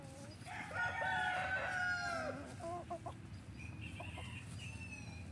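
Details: Loud crow from an F3 Olive Egger rooster in a free-range backyard flock: a strained, harmonic call held nearly two seconds before tailing off, followed by softer clucks and higher tonal notes over low background hum.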